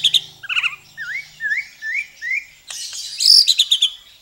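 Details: White-rumped shama phrase of soft up-slurred whistles repeated about twice per second, then a dense burst of loud high chattering and chirps; faint low hum at the start.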